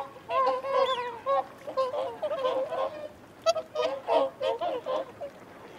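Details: Several whooper swans calling while feeding and defending territory, with quick runs of hoarse, bugling honks that overlap, then stop and start again in short bouts across the clip.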